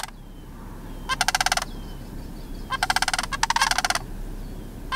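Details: Juvenile sandhill cranes, two young birds at George W. Mead Wildlife Area, making rolling, rattly pulsed calls in two main bursts, with faint high squeaky peeps in the gaps.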